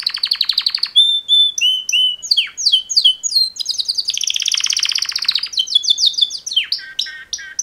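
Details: Champion male canaries singing a mating song: quick sequences of bright whistled notes, rising and falling slurs and dense buzzy trills, sliding repeated chirps toward the end, with no other sounds.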